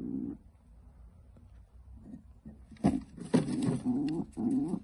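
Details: Pet pigeon, female, grunting while defending her nest indoors: low, rough grunts mixed with sharp broadband scuffling or flapping bursts in the second half, after a quieter start.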